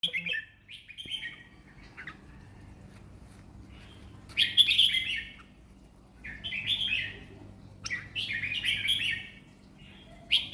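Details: Caged competition red-whiskered bulbul, a four-round contest bird, delivering relaxed song: short bright warbled phrases of three to four notes, separated by pauses of about a second, with a faint low hum beneath.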